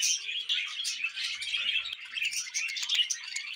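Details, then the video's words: Steady budgerigar warbling, rapid high chirps and squeaky trills running without a break, ending with a sharp knock. "Budgies Moments Collection ( Part 15 )"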